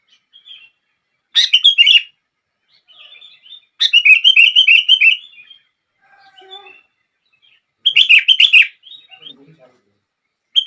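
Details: Song of a sooty-headed bulbul, used to get other bulbuls singing: three loud bursts of rapid, bubbly chirped notes several seconds apart, with softer, quieter whistles and chips in the gaps.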